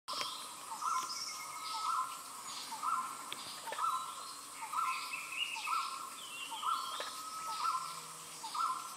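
Grey peacock-pheasant giving a mid-pitched, slightly harsh note repeated about once a second, with thin higher chirps from other birds behind.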